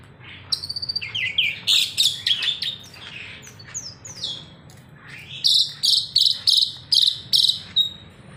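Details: Caged bird singing while bathing on its own: a varied run of high sweeping whistles and chirps, then a loud burst of about eight evenly spaced ringing high notes, with quiet low hum behind.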